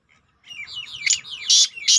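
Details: Partridge call used to attract partridges; a run of rising and falling whistled notes speeds up and ends in loud, harsh, broadband bursts.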